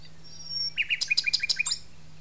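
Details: Common nightingale song at La Petite Loiterie arboretum, France: a thin high whistle, then a fast, loud run of about ten repeated chirping notes in a second, over a faint low hum.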